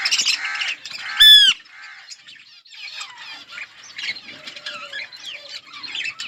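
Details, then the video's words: Budgerigar colony with loud harsh squawks early on, one strongly rising whistled screech, then softer varied warbling and chirps from several birds. "Budgies parrot chirping sounds in budgies colony"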